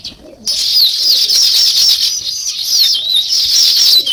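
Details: Continuous, loud flock chatter of sparrows: many high chirps and thin rising and falling whistles overlap without pause after a brief quiet start.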